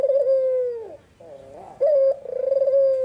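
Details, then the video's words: White, red-eyed Barbary dove cooing vigorously in the afternoon: a long low steady coo that sags at the end, a softer wavering note, then another sustained coo with a rolling, pulsed quality. "Suara burung puter putih mata merah full gacor-Nyanyian merdu di sore hari sangat tajam dan jernih"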